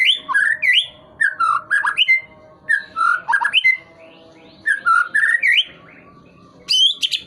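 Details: White-rumped shama flicking its tail while singing steadily: loud, varied whistled phrases with rising and falling slurs, sung in bursts separated by short pauses, ending in a sharp high upslurred note.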